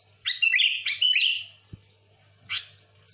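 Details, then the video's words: Sooty-headed bulbul in lively song for luring bulbuls: a rich, gurgling burst of whistled notes lasting about a second, a faint low knock, then one short bright phrase. "Suara burung kutilang gacor full Asli,,cocok untuk pikat Kutilang ribut"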